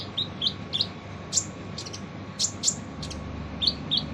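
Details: Harsh-voiced song of a kolibri ninja sunbird, a training recording for other songbirds; paired short high chirps open and close the phrase, with sharp piercing ticks between them and a low steady hum beneath.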